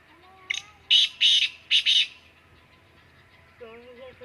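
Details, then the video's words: Black francolin call from Khushab, a short series of harsh, grating bursts in quick succession, followed by softer tonal sounds in the background. "kala teeter ki awaz"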